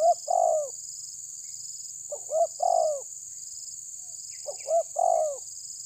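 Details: Three matching phrases from a spotted dove pressuring an opponent, tabir style: each has quick short hoots leading into a long descending coo, spaced about two seconds apart over a steady high buzz.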